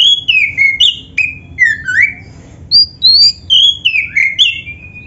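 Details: Oriental magpie-robin (black-breasted kacer) in full song, played to prompt other magpie-robins to sing: a rapid run of loud, clear whistled slurs, some rising and some falling, with sharp high notes between and no pauses.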